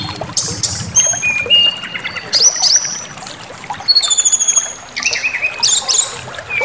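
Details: Lure song of a brown-chested jungle flycatcher, used to provoke aggression: thin, piercing whistles held briefly, rising slurs and quick stuttering notes come in bursts with short pauses over a steady background hiss.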